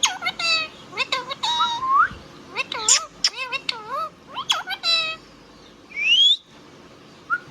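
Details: Pet Indian ringneck parrot talking: quick chattering speech-like syllables with wavering pitch, a few sharp squawks, and a rising whistled squeal near the end.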